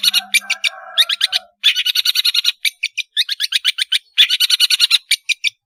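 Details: Long-tailed shrike song used as a lure for young birds to learn: rapid series of harsh, high chattering notes in bursts with brief pauses, a low buzzing tone at the start.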